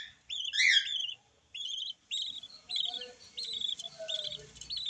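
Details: New yellow lovebird chick: a loud, harsh squeak first, then a string of thin, wavering high peeps, fainter and slightly rough toward the end.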